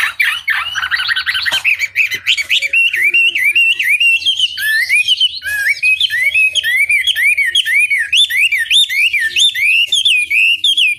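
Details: Hwamei song, opening with a fast jumble of harsh notes, then a long series of loud whistled swoops rising and falling in quick succession, steady and vigorous throughout.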